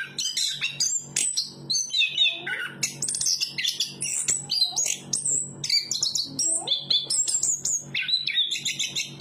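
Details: Chestnut-capped thrush singing a rich, varied song of quick whistled and chattering phrases, notes leaping between high and mid pitches with short pauses, over a steady low background hum.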